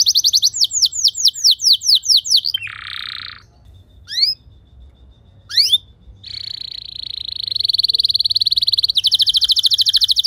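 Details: Canary song played to train other canaries: repeated falling whistles, a short harsh buzzy burst, scattered sharp upward notes with pauses, then a sustained high tone turning into a rapid trill.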